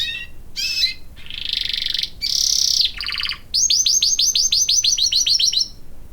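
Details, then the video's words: Domestic canary singing during its bath: varied high phrases of buzzy rolls and sweeping notes, ending in a steady run of rapid, evenly repeated descending whistled notes lasting about two seconds. "My Canary Singing and Taking a Bath"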